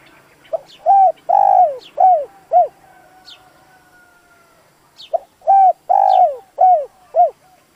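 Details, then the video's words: Spotted dove kept as a decoy to stir up wild doves, giving two bursts of deep, mellow coos, five notes each with a long middle note, separated by a quiet gap with faint high bird chirps. "Tiếng chim cu gáy dùng kích bổi lâu nổi, bổi khó cỡ nào nghe là gáy"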